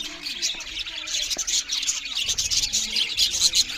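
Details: Several budgerigars chirp loudly as they eat, giving a busy stream of quick, high twittering notes that overlap without pause.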